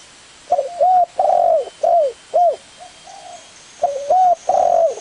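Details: Spotted dove cooing: a low, mellow series of short and drawn-out hooting coos, some slightly rising then falling, in phrases separated by brief pauses, with a faint hum in the background.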